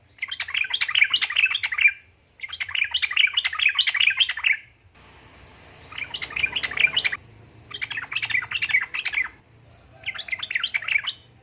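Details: Female yellow-vented bulbul in breeding condition calling to a male, used as a lure for males: five dense bursts of rapid, bubbling chattered notes, each about two seconds long, separated by short pauses, with faint low background hum.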